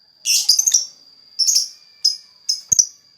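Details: Lakbet song used as a lure for other birds: bursts of bright, scratchy high chirps and trills, the first longer, followed by three shorter phrases and a sharp click. A steady high whine runs underneath throughout.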